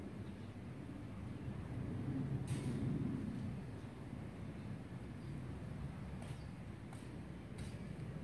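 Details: Low traffic-like rumble with a few brief clicks and faint knocks, without any clear bird call.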